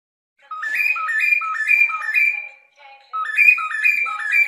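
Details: A cockatiel's clear harmonic whistles climbing in small steps, low-to-high pairs repeated rhythmically, fading briefly before the pattern starts again.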